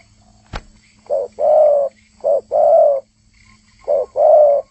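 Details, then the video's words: Spotted dove, known locally as tekukur, singing actively: low, mellow coos in three phrases, each a short note followed by a longer, drawn-out coo, with a sharp click near the start and quiet background. "Burung trkuku gacor"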